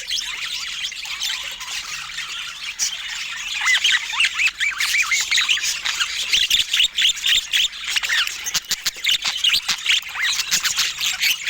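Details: Budgerigars chatter in rapid scratchy warbling, starting softer and growing busier, with many quick chirps and clicking taps roughly four per second.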